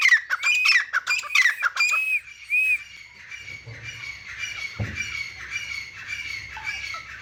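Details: Grey francolin (teetar) in mud, giving a string of harsh rising-falling squawks in the first two seconds, then quieter, fainter repeated notes over a low hum.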